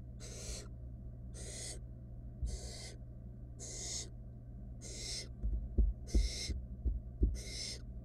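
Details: Wild barn owl nestlings in a monitored nest box, one stealing a rat from a sibling that could not swallow it; seven harsh, breathy hisses about a second apart, over a steady low hum.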